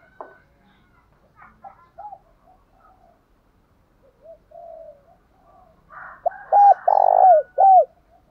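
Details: Spotted dove used as a decoy, giving a fighting coo to draw replies from newly caught birds: faint distant coos and clicks at first, then a loud burst of repeated arched coos and a throaty rolling note.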